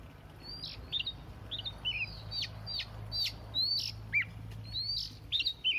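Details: Quieter morning warm-up of a recently caught Oriental magpie-robin: scattered short whistles and downslurred chirps, spaced irregularly, over a low background hum.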